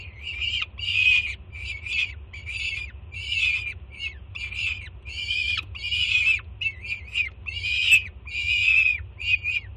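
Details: Juvenile female peregrine falcon on a Jersey City nest ledge, screaming loudly in excitement as its mother, a first-time breeder, arrives with breakfast; harsh, high, harmonic screams repeated in rapid bursts with brief gaps, steady low hum beneath.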